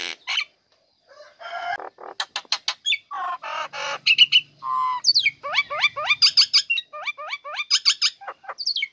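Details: Female Nias hill myna, kept in a cage and singing at once when uncovered, used to coax lazy birds into song: mixed harsh bursts and clicks, then a rapid string of rising whistled hooks repeated about twice a second.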